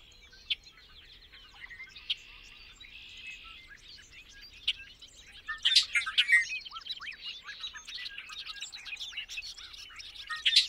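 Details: Bobolink, a member of the blackbird family, delivering a rapid bubbling song of jumbled metallic notes and short buzzy phrases, growing louder and denser in the second half, with faint low background rumble.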